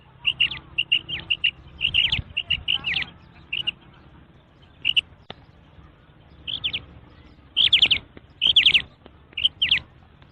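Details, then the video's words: Female quail calling in clusters of short, high, paired notes, with pauses between the bursts, over a steady low hum. "مادی بٹیر کی 7 منٹ والی آواز / Female Batair Sound"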